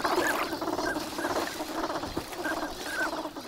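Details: Crowd of wintering ducks at Nagahama, Lake Inawashiro, Japan, on a fine morning. Busy low chattering babble fills the scene, with occasional higher nasal call notes rising above it.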